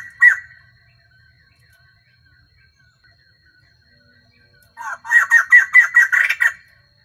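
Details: Caged female white-crested laughingthrush used as a lure to provoke males; a single sharp note, then quiet soft twitters, then a loud rapid cackling run of about ten pulsed notes.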